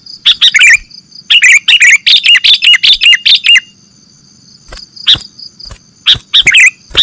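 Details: Sooty-headed bulbul calls played as a bird-catching lure: a dense burst of scratchy chattering notes, a pause, then scattered sharp chirps and a brief final flurry.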